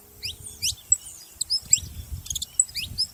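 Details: Saffron finches making noise together: scattered thin, high slurred chirps, some rising, some falling, spaced irregularly over soft low background rumble.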